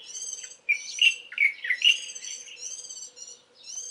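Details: Warbling white-eye singing in the early morning of 11 April 2012: clear whistled notes near the middle of the range, some slurred downward. Higher stacked chirps repeat rapidly across the clip, perhaps from other birds.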